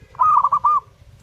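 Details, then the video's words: Zebra dove singing vigorously: a single quick phrase of four soft, rounded cooing notes at a steady mid pitch. The last note is slightly drawn out and arched, all within under a second, over a faint low background hum. "burung perkutut gacor"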